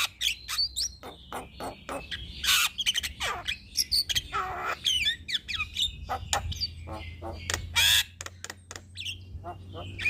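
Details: Javan myna (jalak kebo) singing persistently as a master recording to stimulate other birds: rapid mix of harsh squawks, broadband rasps and short whistled notes, with a low hum in the background.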